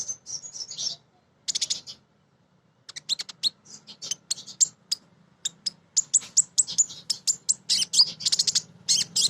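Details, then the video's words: Crimson sunbird female calling to males, a lure for birds in training: buzzy high trills, a silent pause, then a fast, dense series of sharp ticking chips and squeaky twitters. "Konin Betina Gacor‼️ Nyrecet Nembak"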